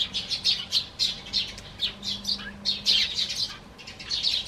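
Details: Sparrows perched on a garden bench greet a person leaving the house with a steady run of sharp, high twittering chirps, many notes per second in uneven groups, while a low background hum persists.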